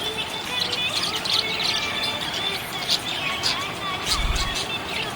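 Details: Happy budgerigar chirping in a steady stream of dense scratchy twitters and warbles, with a low thump near the end and a busy background hiss.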